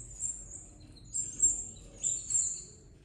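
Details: Belgian canary chicks being fed by the female: thin, very high-pitched squeaky notes drawn out in three bursts, faint against a low hum.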